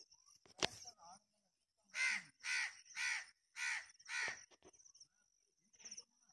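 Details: Black francolin, said to call in winter and summer, delivers a rhythmic series of five loud, rasping, broadband notes about half a second apart, preceded by a sharp click and faint high whistles.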